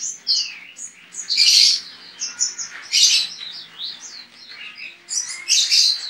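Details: Online singing-contest white-eye from Pontianak, West Kalimantan, Indonesia: continuous high-pitched twittering song broken by three loud, dense chattering bursts spaced roughly one and a half to two and a half seconds apart.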